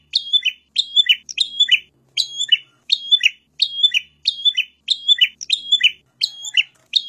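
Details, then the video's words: Prinia song: a high, sharp chirping phrase repeated about every three-quarters of a second, each a quick burst of thin, bright notes, with no other sounds. "suara burung perenjak"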